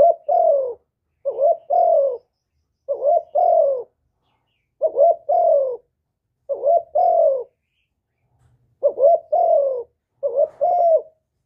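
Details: Captive spotted dove singing its complete calling, urging and cooing sequence used to provoke rival doves; steady series of low two-part coos, a clipped note followed by a drawn-out descending coo, repeated roughly every second and a half, quiet background.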